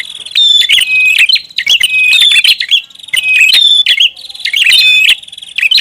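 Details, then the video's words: Prinia lure call with clusters of piercing chirps and clicking notes recurring nearly once a second, overlapping and noisy, with short quiet gaps. "SUARA PIKAT BURUNG PRINJAK ATAS RIBUT"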